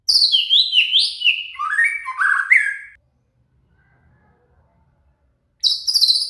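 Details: Murai, or shama, song meant for teaching a cililin: a rapid, varied phrase of buzzy notes sliding down in steps for about three seconds, silence, then a high harsh burst starting again.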